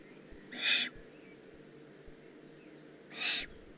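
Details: Young Eurasian eagle-owl in the Eifel, Germany, June 2016, giving two strong, raspy hissing calls about two and a half seconds apart, with quiet low hum in between.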